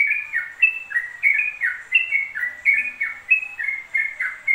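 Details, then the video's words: Unpaused ropel song from a yellow-vented bulbul, a lively stream of short whistled notes, many sliding downward, delivered about three per second with a very faint low tone behind. "TRUCUK ROPEL 2 MENIT TANPA JEDA"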